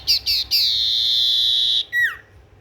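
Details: Tailorbird in energetic song: three short high notes, the third stretching into a steady whistle of over a second, which ends in a sharp descending slur.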